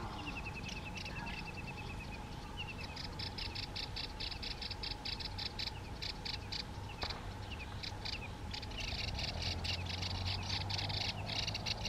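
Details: Yellow-eyed babbler in India sings short runs of clear, high whistled notes that slur downward, repeated a few times, over steady insect chirring and a low background hum.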